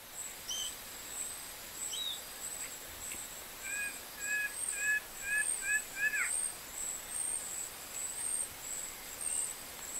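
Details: Plain-winged antshrike (Thamnophilus schistaceus) at Parauapebas, Pará, Brazil, gives a short series of about six nasal, evenly spaced notes ending in a downslurred note, with faint high insect-like ticking throughout.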